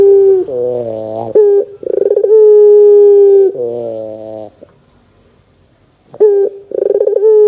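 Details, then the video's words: Lure recording of a Barbary dove meant to get young doves calling. A buzzy, harmonic-rich note leads into long steady coos, with rolling trills and a quiet gap near the end. "PANCINGAN PUTER GACOR DOR TERMEWAH 2024, WAJIB COBA, PUTER BAHAN MUDA PASTI NYAUT !!!"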